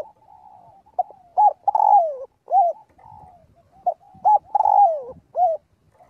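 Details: Spotted dove calling the flock as daily voice practice: two matching phrases of short coos, a long descending coo and a closing note, with quiet cooing between them.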